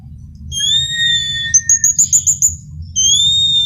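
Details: Male orange-headed thrush singing pure, clear whistled notes held steadily. Midway comes a quick trill of about seven rapid high pulses, then another long, even whistle. A quiet low hum sits in the background.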